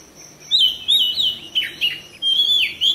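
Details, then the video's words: Caged white-rumped shama singing a string of short rising and falling whistled notes in quick bursts over a soft background hiss. "KACER CEPAT RESPON GACOR"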